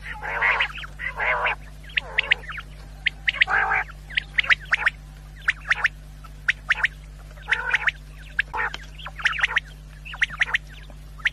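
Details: Quail sound for hunters: several rough, nasal calls early on, then scattered thin, clicking chirps spaced irregularly over a constant low electrical hum.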